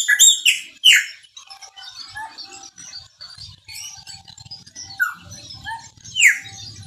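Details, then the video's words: Chopi blackbird of the Maranhãozinho singing style, described as singing a lot: loud, sharply falling whistled notes open the phrase, then softer scattered chirps, with more descending whistles near the end over faint low background rumble. "PÁSSARO PRETO MARANHÃOZINHO CANTA MUITO"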